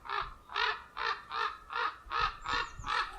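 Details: Common raven; alarm call; defending the nest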